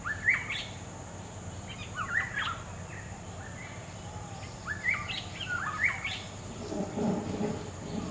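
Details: Wild black-hooded oriole repeating short fluty whistled phrases about every second or two, with a continuous high insect drone and a brief low rustling noise toward the end.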